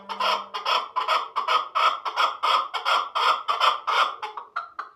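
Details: Chukar partridges at Shahrituz, Tajikistan, giving a steady run of harsh, clucking chuck notes, about two and a half per second and pulsing evenly throughout. A faint low hum sounds at the start.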